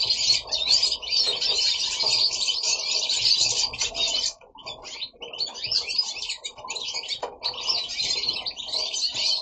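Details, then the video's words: Multiple goldfinches kept at home in Italy, singing beautifully: fast, jangling twitters and trills in overlapping bursts, easing into a short quieter lull before the lively chatter resumes. "Goldfinches singing at home"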